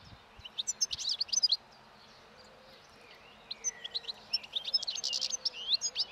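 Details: Wild European goldfinch singing its breeding song as spring approaches while feeding on last year's thistle seeds by a roadside in Turkey; two bursts of rapid, tinkling high chirps and twitters separated by a quiet gap, with a faint slurred whistle between.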